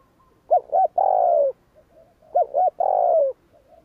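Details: Spotted dove giving the 'gù kích' provoking coo, twice: two short hoots and then a long, smoothly descending coo, each phrase about a second long, over a quiet background.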